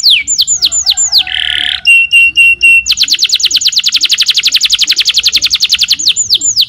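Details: Canary in energetic full song: sweeping downward whistles, a buzzy nasal burst, a few even clear notes, then a long fast trill of rapid repeated high chirps, ending with more swooping whistles.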